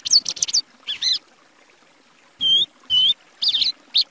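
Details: Plumbeous Seedeater, called patativa, heard in short separate bursts: quick trilled phrases, then clear high whistled notes, with gaps between them and a faint low hiss under some phrases.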